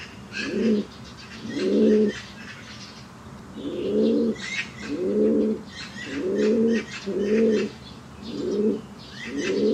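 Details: Fancy white pigeon, a one-legged bird, giving low cooing calls in rounded bursts about a second long, repeated every second or two, with faint higher chirps from other birds behind.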